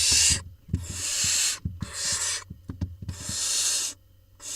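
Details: Barn owl chicks in a nest box in Israel, 20 June 2021, while the smallest swallows a vole; drawn-out harsh hissing screeches in several bursts, with knocking and shuffling sounds between them.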